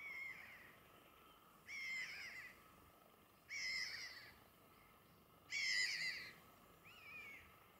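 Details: A small group of spotted redshanks (Tringa erythropus) foraging for shrimps at Inlaag Keihoogte near Wissenkerke, filmed from a hide, giving five loud, high, whistled two-note 'chu-wit' calls about every two seconds over soft hiss.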